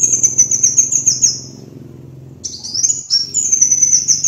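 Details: Kolibri wulung (sunbird) song used as a master recording for training birds: high, thin, rapid trilled phrases, a short pause, then further fast sweeping trills, with a low steady hum underneath.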